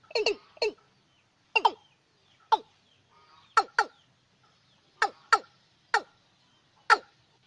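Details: Watercock call used at night to lure birds: deep, hollow, downward-sweeping notes, mostly given in quick pairs with pauses of about a second between them, against a quiet background.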